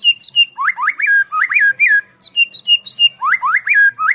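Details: Caged white-rumped shama, Medan type, 11 months old and 24 cm long, singing a varied song of rising whistled phrases, curling slurs and short high notes in quick succession.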